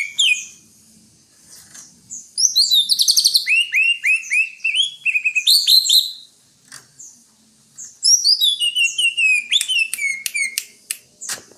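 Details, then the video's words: Greater green leafbird song: quick varied high phrases of slurred whistles, rapid trilled notes and descending chirps, in bursts separated by short quiet gaps, with a few sharp clicks near the end. "Suara burung Cucak Hijau"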